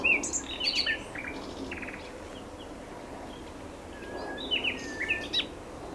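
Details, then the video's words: Common nightingale singing: short bursts of varied high whistles, chirps and rapid trills in two phrases separated by a pause of about three seconds, over a steady low background hum. "Fülemüle éneke /nightingale his song/"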